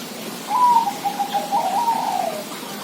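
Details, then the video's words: Zebra dove song: a clear higher opening coo followed by a run of quick, even cooing notes on a slightly lower pitch, slowing and fading after about two seconds, over faint steady background hiss. "suara perkutut"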